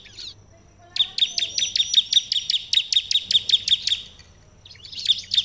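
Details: Bar-winged prinia in Indonesia, recorded to provoke other birds to answer: a rapid, even run of about fifteen sharp, high chirps lasting three seconds, with brief chattering phrases before and after.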